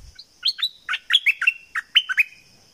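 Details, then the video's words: A southern Thai bulbul (nok dok taeng, merbah lekir) sings a lively run of about nine clear, bubbly whistled notes, rising and falling, over a steady thin high whine in the background. "เสียงนกดอกแตงภาคใต้ สายเบิ้ล!!!Burung merbah lekir gacor"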